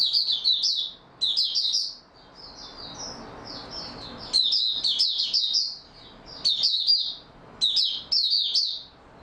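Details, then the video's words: Recorded 28 February 2022, a white-eye in steady opening-song form pours out high, sweet twittering phrases, one softer passage mid-way before the loud bursts resume three more times. "Mata Puteh Raja Video 1 buka sing stable form 28022022"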